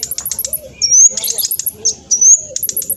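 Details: Speedy olive-backed sunbird song used as a lure for other birds: quick runs of high staccato chirps alternating with two thin rising whistles, the pattern repeating roughly every second.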